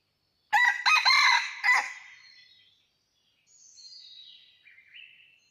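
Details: Red junglefowl cock living wild in the mountains, recorded during trapping on 17 March 2019, crows once: a loud, rough, multi-part call lasting about a second and a half, then softer high whistled notes from another bird.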